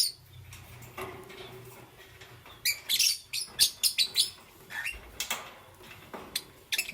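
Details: Green, yellow or lutino lovebird heard in the morning: after a quiet start, a dense run of shrill, scratchy chirps tumbles out rapidly, trailing into scattered high squeaks.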